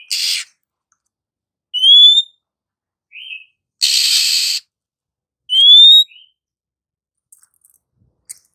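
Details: Female Oriental magpie-robin singing to prompt sluggish males to sing: harsh rasping bursts alternating with clear rising whistles, each whistle trailed by a brief low note, pattern repeating roughly every four seconds.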